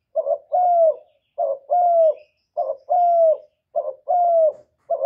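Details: Kept spotted dove in Vietnam giving its luring call to rouse decoy birds. Four even pairs of low coos, each a brief throaty note leading into a sustained, downward-bending coo, repeated roughly every 1.2 seconds.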